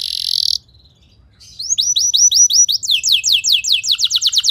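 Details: Caged canary song used to train other canaries to sing, held long with no chattering: after a brief hiss and pause, rapid series of descending whistled notes, roughly three per second, speeding into quick high trills.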